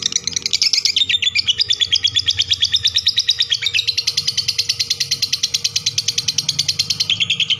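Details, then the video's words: Long chattering lovebird song, an unbroken stream of rapid high chirps, about ten each second, wavering slightly in pitch, over a faint low hum. "lovebird ngekek panjang"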